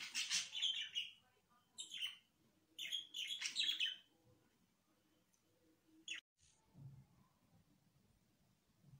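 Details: Pet budgerigars chattering indoors: bursts of bright, harsh chirps and warbles come in clusters with short pauses between, then one sharp note near the end, with a faint low hum underneath.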